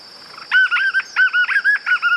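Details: Song of the white-eared puffbird, a natural recording without sound effects. After a quiet start, loud whistled notes rise and fall in quick pulses. They run in two fast trills. A constant high whine sounds behind them.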